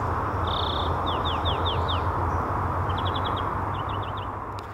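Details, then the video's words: A European greenfinch trills: a short buzz, then quick, high, down-slurred notes and rapid twittering trill bursts, over a steady low traffic rumble. "Трель обыкновенной зеленушки"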